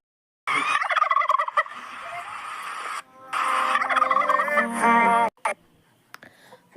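A turkey gobbles in two long, rapid, rattling bursts of throaty, bubbling notes, followed by a short pause and quiet.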